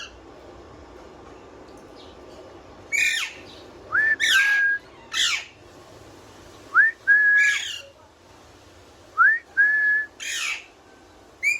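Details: Pet parrot whistling with apparent enjoyment, giving rising whistles followed by drawn-out level whistles, repeated about three times, mixed with several short harsh squawks.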